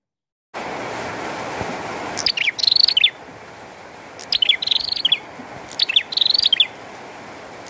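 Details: Rain pattering loudly, then a bar-winged prinia breaks into song: three bursts of sharp falling notes joined to a rattling high trill, each lasting under a second.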